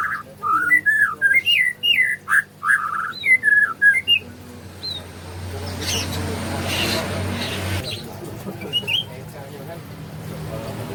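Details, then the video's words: Morning song of a White-rumped shama, melodious and full of imitations: four seconds of rapid, varied whistled and warbled phrases, then a long stretch of steady rushing noise with only a faint note near the end. "kicau merdu gacor pas isian murai"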